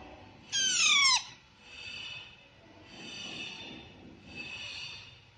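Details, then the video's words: Baby parrots feeding themselves: one loud, harsh call falling in pitch, then three softer, breathy, rasping chatters repeated about every one and a half seconds. "Baby Parrots Natural Sound (Chirping)"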